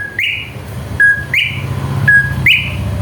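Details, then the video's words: Greater green leafbird song used as a lure to provoke other birds into singing: a steady whistled note jumping up to a higher rich note, repeated about once a second, over a low rumbling hum. "PANCINGAN CUCAK IJO BIAR EMOSI JAMTROK"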